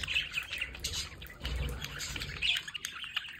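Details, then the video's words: Pet budgerigars by a window warble and chirp in overlapping buzzy notes, a short burst of flock chatter over faint low background rumble. "Sonidos para Periquitos Australianos en casa"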